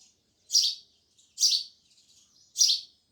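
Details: Sparrows giving loud chirps, three harsh bright chirps spaced about a second apart with soft twittering between.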